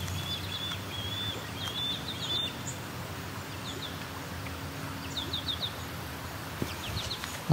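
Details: An osprey in riparian and urban habitat on the Grand River, Waterloo, Ontario, calling nonstop: bursts of rapid high whistled chirps at the start and again in the middle and at the end, over steady low background rumble.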